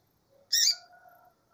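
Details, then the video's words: Calling female double-collared seedeater: one sharp, rough, high chirp lasting about a quarter second. Faint steady low whistled tones trail after it. "femia de coleiro chamando"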